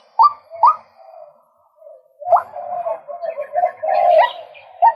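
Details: A male White-breasted waterhen gives two rising nasal notes, pauses, then resumes with a jumbled stretch of lower wavering tones and scratchy higher sounds.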